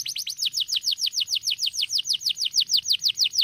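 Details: Canary song: a steady, rapid trill of high, downward-sweeping notes repeated about six times a second, each note bright and clear, with no other sounds.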